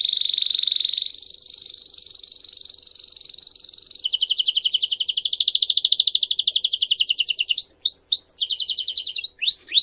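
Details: Belgian canary singing campainha-style song: long steady high whistled notes stepping upward, then a fast pulsing trill, a few rising slurred notes and a short trill, clean with no other sounds.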